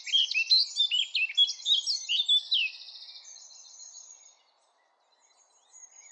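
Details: Eurasian blackcap singing a fast, rich warble of fluty, slurred notes for about two and a half seconds. A thinner, buzzy trill follows, then fades into near silence before soft notes return.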